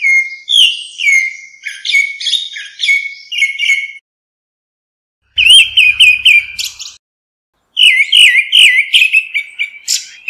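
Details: Grey-backed thrush calling to gather its flock, recorded clean without background noise: bursts of rich, varied whistled phrases around the mid-high register, broken by short silences, with brief chattering notes mixed in.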